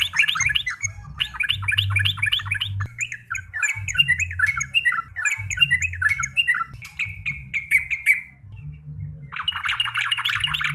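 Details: Yellow-vented bulbul (trucuk) singing vigorously, rapid bursts of chattering, squeaky notes, then a steady run of sharper chirps and a final buzzy chatter, with low rumbling hum beneath.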